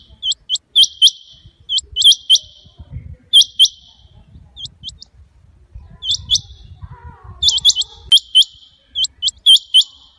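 Rain quail giving sharp, high paired whistles in quick bursts, each note a clipped metallic 'whit-whit'.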